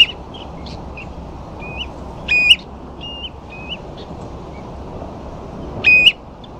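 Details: At Ferrybridge, Portland, ringed plovers on sandflats with a few dunlin give mellow whistled notes, some short, two louder rising calls about three seconds apart, above a persistent background hiss.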